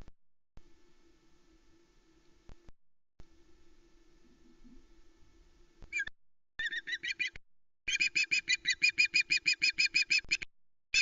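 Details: At the Loch Arkaig osprey nest on 1 September 2020, a female calls as a live flatfish arrives from the male; after quiet background hum, harsh notes start, building into a rapid, regular series of loud squawks.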